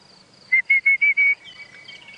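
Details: At sunrise on 8 February 2017 in a South African game reserve, an Orange-breasted Bushshrike gives five clear, even whistled notes in quick succession, its 'coffee-tea-and-me' phrase with an extra syllable, over a thin high insect hiss.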